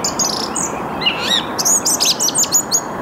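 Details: Song thrush singing in the early morning at 08:10 on 8 March 2022, Saarn-Mendener Ruhraue, Mülheim an der Ruhr, recorded with a Canon EOS R5: high whistled notes, then a rapid series of sharp, repeated short notes, over a steady broad rushing background noise.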